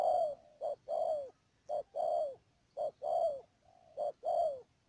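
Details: Spotted dove serving as a trapping decoy in Đầm Dơi, Cà Mau, Vietnam, recorded 12 March 2019; rhythmic mellow cooing, short clipped note leading into a longer falling phrase, five pairs in quick succession.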